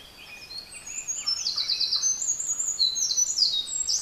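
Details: Eurasian wren, described as Japan's smallest wild bird, singing hard from a tiny body in deep mountain beech forest; high, thin, rapid trills and twittering notes run continuously, with a faint background hiss.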